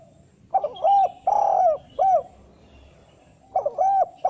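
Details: Spotted dove calling in the style used to summon females and lure wild doves for trapping. Soft, hollow arched coos come in a quick run of three, then a pause, then another coupled pair near the end. A faint steady high hiss is present.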